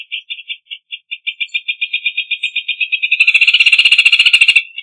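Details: Rufous hornero (Furnarius rufus) song: loud, ringing notes speeding into a rapid chattering trill, with a second, harsher voice joining over the last part.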